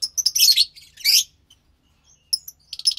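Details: Pair of captive pastel lovebird chicks making two harsh scratchy bursts followed by a near silence, then faint squeaks and a short raspy call at the end.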